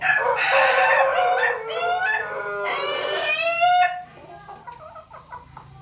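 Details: Pelung chicken, alongside a laughing chicken, crowing: a long, loud harmonic crow of several drawn-out syllables over about four seconds, ending abruptly, followed by soft clucking.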